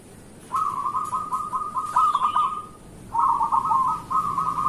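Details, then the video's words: Local zebra dove singing in the morning, used to lure other zebra doves into singing: rapid trilled cooing phrases at mid pitch, a long rolling run then a shorter broken one. "Perkutut lokal gacor pancingan untuk pagi hari"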